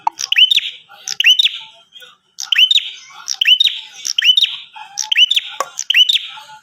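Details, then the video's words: Bar-winged prinia in energetic voice, played to get other prinias to respond: bright high chirps, each a short hooked, down-curving note with a fainter buzzy tail, repeated roughly once per second in an even series. "Suara Burung Prenjak Atas Gacor"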